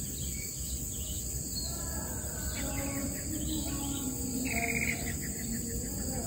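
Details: Long-tailed shrike (cendet) parent near its nest, wary of approaching predators: a loud harsh buzzy rattle bursts out midway, after faint scattered chirps from other birds, all over a steady high insect drone.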